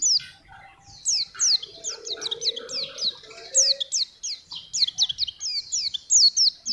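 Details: Oriental white-eye (pleci) in lively full song, used for training young birds and luring wild ones: a long, fast stream of high, steeply falling whistled notes, grouped in bursts with brief pauses.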